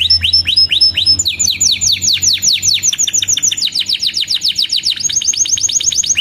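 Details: Canary in full song used to train young birds, giving fast repeated downward-sweeping whistled notes at high pitch, phrases changing every second or two, including a quick rolling trill and higher sweeps.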